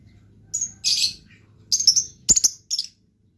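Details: Blue lovebird in lively call; several high, shrill chirping bursts, some buzzy and some clipped into rapid double or triple notes, packed into about two and a half seconds before falling silent.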